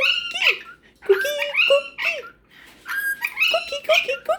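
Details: Pet cockatiel chatting indoors with a superb parrot before bed: bursts of bright, warbling chirps and rising-falling whistled notes, pausing briefly midway, with a woman's voice faintly in the room.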